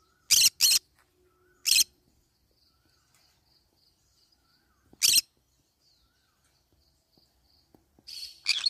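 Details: While eating banana leaves, a green-cheeked conure lets out harsh, grating squawks, two close together, another a second later, then one more after a long gap, with faint soft chirps and rustling between.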